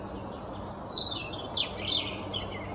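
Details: A small robin sings thin, high, twittering phrases back and forth with another robin, over a soft, steady background hum.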